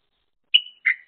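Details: A pair of crested mynas exchange calls, one eating as its mate stands guard; two short clear whistled notes, the first higher and sharply struck, the second lower and trailing off, in a quiet setting.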